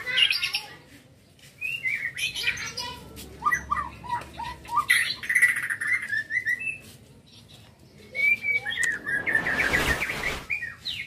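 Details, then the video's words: Young white-rumped shama kept as a contest bird, singing in the lively gacor pastol style: varied clear whistles and chirps in bursts with short pauses, ending in a loud rushing noise. "Murai batu gacor pastol ,burung lomba"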